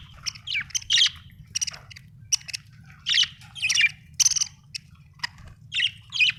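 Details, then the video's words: Budgerigar giving a busy run of scratchy chirps and clicks, mixed with sharper squeaky notes in quick succession, steady low hum in the background. "budgie chirping sound"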